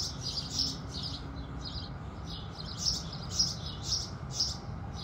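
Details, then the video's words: House sparrows singing at sunrise: bright, short chirps repeated roughly twice a second at an uneven pace, some louder than others, over a steady low rumble of background noise. "Sparrow Sounds"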